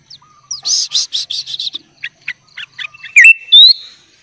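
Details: Singing sooty-headed bulbul, 'kutilang gacor full isian' style used to train young birds: a quick bright chirp series, scattered sharp notes, then two loud rising whistled phrases near the end.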